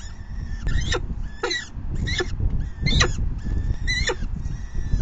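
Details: Begging falcon at the nest, fifth feeding of May 9, 2020, afternoon: sharp, harsh screeching calls roughly once a second, each rasping and broadband, with faint thin whistles between and constant low wind rumble.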